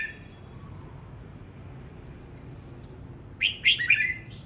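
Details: Practising red-whiskered bulbul delivers one lively whistled phrase of three quick, rising and dipping notes after a few seconds of near silence with a low steady hum.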